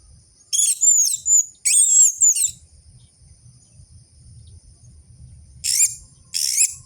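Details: Orange-headed thrush in full song, used as a lure to stimulate captive birds, gives two long phrases of rich, sweeping high whistles and rough chatter, then after a pause two brief buzzy bursts, over quiet low hum.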